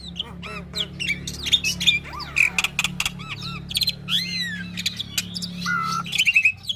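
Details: Black-winged myna tutor song for training young birds: scattered rising and falling whistles, squawks and clicks over a steady low electrical hum and background hiss.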